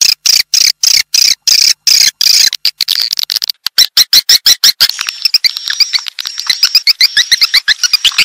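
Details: Swiftlet lure call meant to draw swiftlets in. Clipped, evenly spaced bursts of sharp twittering chirps give way to a continuous stream of quick, high chirps.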